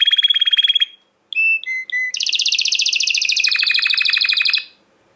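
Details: Yellow-capped Timbrado canary delivering a steady high trill, a short pause, a few clear piping notes, then a long rapid rolling tour that drops slightly in pitch before stopping.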